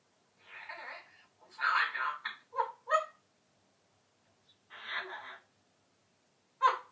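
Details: An 11-month-old pet Eclectus parrot talks in hoarse, human-like phrases: several bursts of mimicked speech with short pauses and a sharp, squawk-like final word.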